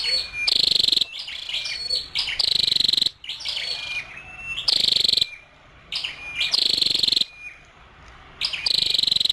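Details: Repeated high, dry, buzzy pulse-trains from a female scarlet-backed flowerpecker, about one every two seconds, interspersed with thin level whistles and short rising chirps.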